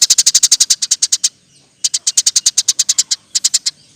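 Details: Song of a Eurasian tree sparrow, used as a model to train other birds: three rapid bursts of sharp, high, evenly spaced ticking chirps, roughly a dozen per burst, with brief gaps between.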